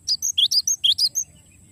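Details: Long rolling song of a cinereous tit, for training songbirds: a quick string of about eight bright high whistled notes, alternating upslurred and flat, ending in faint soft notes.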